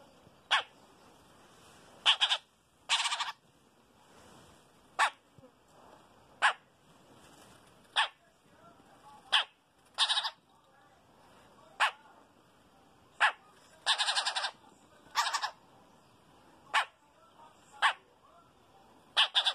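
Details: Chopi blackbird (Gnorimopsar chopi), begging call: chick begging for food while a parent feeds it.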